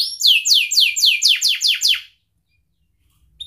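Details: Long-singing canary song used as a lure to help young canaries learn sounds and as therapy for canaries that stopped singing: a fast run of about eight bright, descending swept notes over two seconds, then quiet with a faint final chirp.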